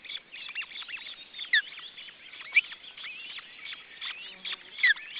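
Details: Osprey at a nest holding a second chick, June 2012: a few sharp, down-slurred whistled chirps stand out above a steady bed of thin twittering and chattering notes.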